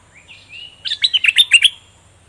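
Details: Caged bulbul with its plumage now fully grown, singing in a doubled-note style: soft rising whistles lead into a fast run of loud, bright, chopped notes in a steady burst.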